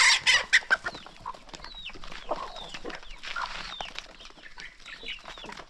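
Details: A chicken flock at morning feeding. Loud clattering bursts open the clip, then quick high chirps and soft clucks continue at an irregular, rapid pace.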